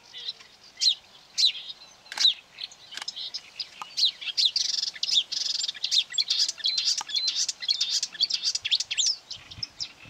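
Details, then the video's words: Marsh warbler lured by playback near quarry workings on 9 May 2020, fiercely attacking a hanging mobile phone and trying to outsing it; fast, varied chattering song of high twittering notes, trills and mimicked phrases, nearly continuous. "Болотная камышевка"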